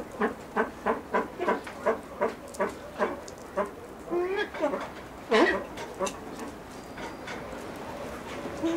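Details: Blue eared pheasant (Crossoptilon auritum) at a pheasant nursery gives a run of about a dozen harsh, nasal notes, roughly three per second, then a few scattered squealing calls.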